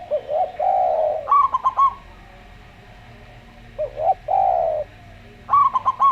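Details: Local zebra dove in slow-voiced song: rapid clipped, stuttering high coos in two bursts, each close to lower, drawn-out, wavering coos from a calm Javan derkuku dove, with pauses between phrases.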